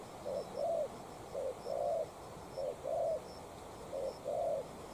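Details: Decoy spotted dove with a docked tail answering a wild dove: four evenly spaced pairs of mellow low coos, short then long, over quiet background with faint distant high chirps.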